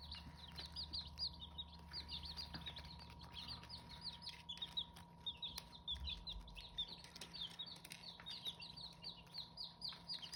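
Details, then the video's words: Hmong chicken chicks (Qaib Hmoob) peeping continuously, a dense stream of short high cheeps repeated several times a second, with a steady low hum underneath. "Qaib Hmoob (aka Hmong chicken) Chicks!!"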